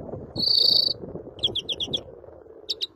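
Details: Greenfinch song: a long, even buzzy wheeze, then a short run of five quick repeated notes, with a brief pair of notes near the end over low background rumble.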